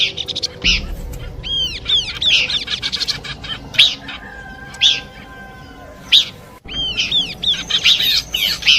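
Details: Horsfield's babbler song in a combination recording for luring birds: repeated groups of curved, bright chirps and sharp single notes, with a quieter middle stretch and a faint steady tone beneath.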